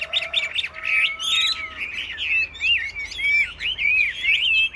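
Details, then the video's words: Chinese hwamei in a cage during a rack singing contest in Vietnam, delivering dense, rich whistled warbles with quick swooping notes. A steady, thin, sustained tone runs underneath for a short stretch. "Họa mi hót đấu giàn"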